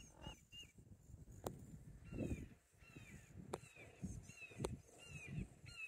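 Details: Two dueling Red-shouldered hawks on the Cool Trail at Little Big Econ State Forest, Geneva, Florida, give thin, high, down-slurred cries in quick series, faint behind rustling, thumps and low background noise.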